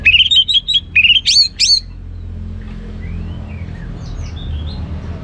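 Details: Orange-headed thrush kept at home, ngeplong song: loud run of rising and falling whistled notes, then two sharp high upsweeps, ending abruptly; faint distant bird calls and low background rumble follow.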